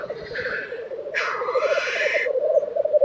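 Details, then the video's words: Black grouse at a lek in Tiveden, Sweden, in April 2023: a steady, pulsing low bubbling coo runs throughout, overlaid by two harsh, hissing whooshes that rise and hold for about a second each. "Black Grouse Lek - sound recording"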